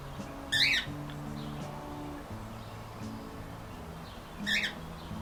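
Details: Two cockatiels enjoying the morning sun on a back patio, with local birds around. Two short, harsh cockatiel chirps about four seconds apart, each a brief rising-falling squawk, over soft background music.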